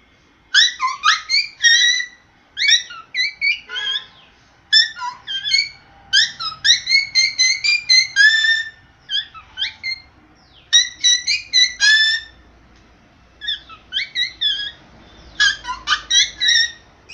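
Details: A cockatiel learning to sing whistles bright, warbling phrases with quick rising and falling notes, pausing briefly between bursts.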